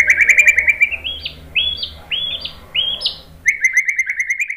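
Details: White-rumped shama song used as provoking material: quick chattering notes, then four clear rising whistled phrases about a second apart, followed by another fast chattering run.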